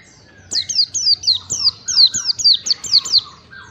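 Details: Oriental white-eye song used to train caged birds: a lively series of about twelve high, clear downslurred whistles delivered rapidly, with soft lower whistled notes interwoven and faint background noise.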